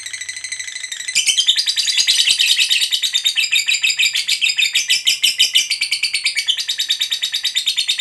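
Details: Lovebird giving a long chatter, known locally as ngekek panjang, used to provoke other lovebirds into singing; a fast, dense run of high rasping notes, about three per second, sustained for seven seconds after a brief quieter start.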